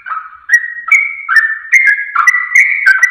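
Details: Sooty-headed bulbul song used as a lure to make other birds sing and answer quickly: short bubbling, warbled phrases repeated about every half second, stepping between lower and higher notes, with no other sounds.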